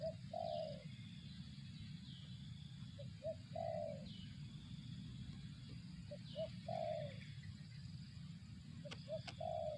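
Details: Spotted dove in 'target zong' style: spaced groups of coos, each a brief note or two leading into a longer husky falling coo, repeated roughly every three seconds against persistent low rumble and faint high whistling tones.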